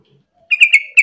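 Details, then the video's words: Yellow-vented bulbul singing lively to lure other bulbuls into song: after a quiet start, a short burst of bubbly, liquid chattering notes. "pancingan trucuk gacor biar trucukan lain ikutan bunyi"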